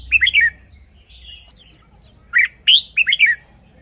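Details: Red-whiskered bulbul kept in a cage, its song used to make birds lively. A slurred whistled phrase, a few softer chips, then a louder run of five bubbling notes, with faint background rumble.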